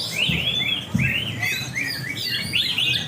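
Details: Contest greater green leafbird singing at a practice bird competition in Taman Baru, Banyuwangi; sweeping, slurred whistled notes repeated in quick succession over a low hum of voices.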